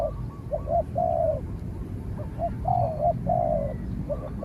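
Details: Two spotted doves calling in a fight, a decoy bird on training and a distant wild one; short coos leading into drawn-out level notes, phrases repeated twice, steady low background noise.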